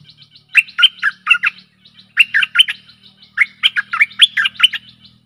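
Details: Stripe-throated bulbul used as a decoy for aggressive wild birds, singing three phrases of rapid gurgling notes, the last one longer, over a faint low hum.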